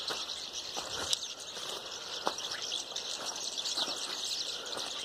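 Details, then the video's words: Hundreds of mynas gathered in a single tree, their voices merging into a dense, continuous chatter of high, scratchy chirps and squeaks with a few sharper notes standing out. "Hundreds of myna's spotted on a tree"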